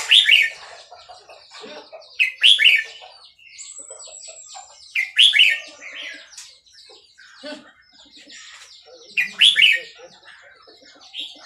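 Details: Burmese red-whiskered bulbul from Dan Singkhon, Thailand, repeats a loud, bright, warbled phrase of rolling, up-and-down whistled notes about every two to three seconds, five times. Softer chatter fills the gaps.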